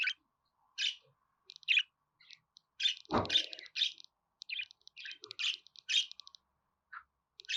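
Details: Budgerigar chatter, a run of short chirps, squeaky notes and rapid tick-like clicks in an uneven rhythm, with a single low knock partway through.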